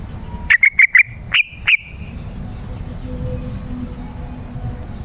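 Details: Yellow-vented bulbul song meant to attract wild birds in forest and garden: a string of four rapid chirpy notes, then two more spaced slightly apart, all in a bright mid-high register, with low background rumble afterwards.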